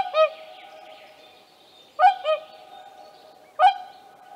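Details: Wild whooper swan with young, recorded at Tāši, Latvia, on 15 May 2024: loud, nasal, trumpeting honks with rich harmonics, a single call, then a quick double call, then another single, over a faint steady background drone.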